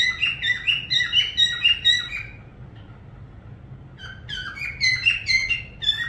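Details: A parrot gives a fast run of loud, clear whistled chirps, pauses, then resumes with another energetic string of bright, downward-slurred notes.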